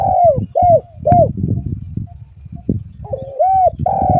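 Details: Spotted dove luring call meant to attract other doves, with short, hollow coos repeated in quick succession, a brief pause, then a longer coo phrase, and dull low thumps sounding underneath throughout.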